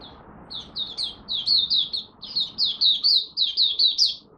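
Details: Mata puteh, the Malaysian oriental white-eye, in an early-day warm-up, delivering a continuous chattering stream of high, sweet, downslurred notes that grows louder, with hardly a pause for four seconds.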